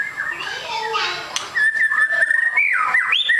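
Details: Super fighter white-rumped shama with a long tail. A few murmured sounds come first, then a long steady whistle leads into swooping, falling and rising whistled notes.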